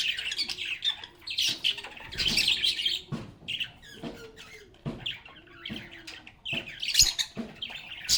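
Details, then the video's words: Lovebirds singing and talking: bursts of shrill chirps and squeaky notes alternate with quieter gaps, plus a few lower squeaks and soft knocks between phrases. "Lovebirds agapornis sounds | Relaxing Sounds of Singing, Playing, and Talking Parakeets"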